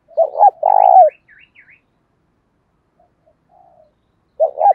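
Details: Caged decoy spotted dove calling to draw in wild doves: a pair of short hooting notes run into a long rough, vibrating coo, followed by faint chirps and quiet, then the next phrase starting.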